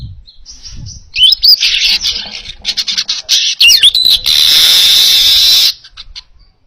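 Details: Clear, energetic baya weaver song used for training other birds: soft buzzes, then churring chatter with sliding whistles, finishing in a long steady hiss.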